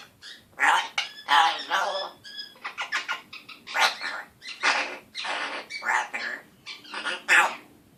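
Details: One-year-old pet male African grey parrot talking in a still scratchy voice, a run of short word-like bursts with brief gaps, mimicking speech such as greetings and a raspberry sound, indoors.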